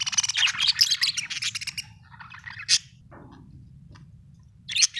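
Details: Budgerigar chirping happily, a rapid run of warbling, scratchy chatter and squeaky notes at the start, then scattered short chirps and a final sharp tweet, over a faint low hum.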